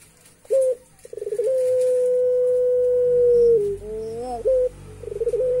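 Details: A puter pelung dove laughs in an eerie way. A short coo and a stuttering burst run into a sustained level hoot that bends and wavers, followed by another short note and a fresh stuttering run.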